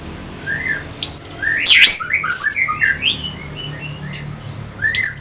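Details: Orange-headed thrush used as a lure sound for fighting birds; sparse soft whistles punctuated by loud, harsh, high-pitched squeals and screechy bursts, with quiet gaps between.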